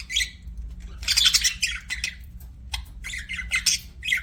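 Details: Pet budgies trade rapid squawky chirps and scratchy warbles in uneven bursts, loudest around one second and again near the end, over a steady low hum.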